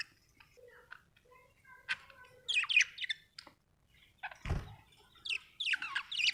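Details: A happy budgerigar chirps and chatters with squeaky rising notes and brief whistles, interrupted midway by a dull thump.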